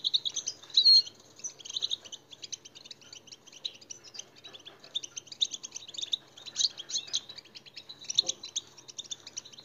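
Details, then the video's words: Song of a European goldfinch, played to stir captive goldfinches: a rapid, tinkling twitter of high chirps and short trills continues for the whole stretch, swelling in several louder bursts. "saka huylandırma"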